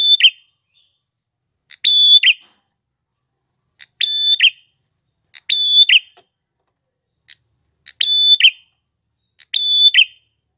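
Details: Male red-headed prinia singing ngalun style: each phrase is a sustained high whistle ending in a rough buzzy flick, repeated roughly every two seconds, with faint ticks before each phrase; quiet background.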